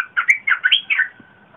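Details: Red-whiskered bulbul song recorded 30 April 2021, a big, pleasant voice used as a lure for wild birds and for young birds to copy. One rapid phrase of five or six liquid, whistled, up-and-down notes lasting under a second.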